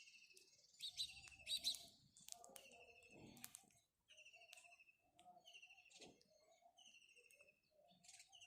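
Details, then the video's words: Busy sequence of house sparrow calls: quick, buzzy, rippling chirps repeated roughly every second or two, with scattered clicks and low murmuring. "house sparrow birds call | Call of a House Sparrow"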